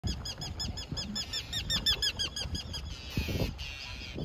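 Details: Forster's terns flying over a canoe on Lake Bertha give a rapid run of short, arched, harsh notes, about five a second, over low rumbling and a burst of hissy noise near the end.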